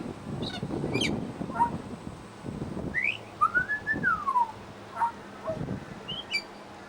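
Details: Pied butcherbird at a bird sanctuary mimicking other species: sharp high notes, then a long smooth whistle rising and falling, with rustling and thumping noises in the background.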